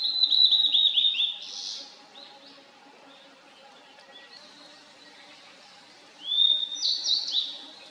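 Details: Blue-and-white flycatcher (Cyanoptila cyanomelana) singing in a valley in 2023, a clear, high warbling phrase of quick whistled notes, a pause of several seconds, then another bright, slurred phrase; mosquitoes fly around the camera.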